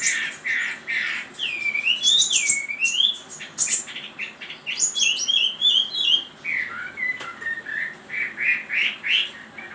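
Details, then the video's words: Chinese hwamei in full song: loud looping whistles swooping up and down, rapid chattering runs of short notes, and repeated bright phrases flowing without pause. "Suara Burung Wambi ( Hwamei )"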